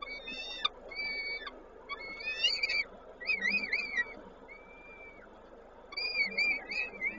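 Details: Feeding time at a peregrine falcon nest in Koszalin, 19 May 2022; bursts of rippling, wavering whistles, about four a second, one long arched note, then more rippling calls.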